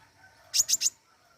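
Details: Flowerpecker known locally as pentis raja, singing vigorously; a rapid burst of three piercing high chips, evenly spaced, against quiet background hiss.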